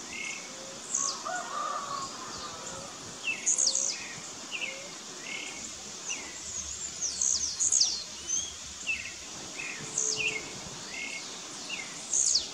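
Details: Wild blue-black grassquits (Volatinia jacarina) disputing as rivals in the bush. High, brief buzzy bursts recur every one to two seconds with short falling sweeps beneath, alongside other birds' lower chirps and whistles and faint insect background.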